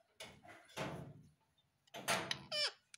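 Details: A pet talking Indian ringneck parakeet (Psittacula krameri manillensis) indoors gives harsh, broadband bursts, then a sharp, descending screech, with knocks and room noise between the calls.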